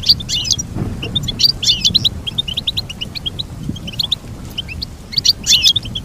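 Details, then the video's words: Goldfinch song for training captive birds: lively high twitters in short bursts, mixing rapid chips with brighter trilled phrases, over a low background hum. "Teach your goldfinch to sing beautiful motivational songs"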